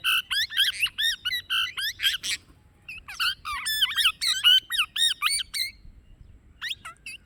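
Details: Plum-headed parakeet giving rapid series of shrill, squeaky chattering calls, about two per second, in bursts separated by short pauses, with faint background hum.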